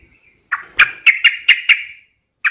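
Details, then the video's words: Yellow-vented bulbul uttering a short series of five or six sharp, evenly spaced chirps, each with a drawn buzzy tail, followed by one more chirp after a pause. "trucukan gacor UPLIK NEMBAK ROPEL TAJAM"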